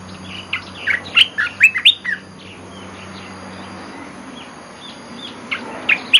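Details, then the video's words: Olive-winged bulbul singing vigorously in a lure recording: a bubbly run of warbled notes lasting about two seconds, a pause, then a shorter burst of liquid notes near the end. "Suara pikat merbah belukar gacor"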